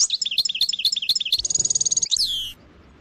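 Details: European goldfinch singing in the trilling style locally called sersar: rapid liquid twitters and chirps, then a fast even high trill lasting under a second, ending in a sharp descending buzzy slur.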